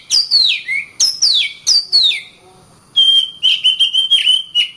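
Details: Kacer song with three loud downward-sweeping whistles, a pause, then a fast trill of repeated level whistled notes.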